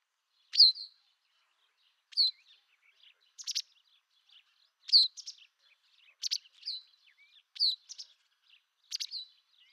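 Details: White wagtail: loud, crisp, high-pitched two-part chirps repeated at irregular intervals of about one second, in a clean, quiet background.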